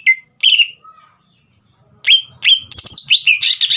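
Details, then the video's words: Caged green leafbird singing loud, clear whistled notes, bright slurred phrases at first, then a pause before a rapid burst of tumbling, varied chirps and whistles, played to provoke a young bird into singing. "CUCAK IJO GACOR INI SPONTAN MEMANCING EMOSI CUCAK IJO BAHAN TROTOL AGAR GACOR"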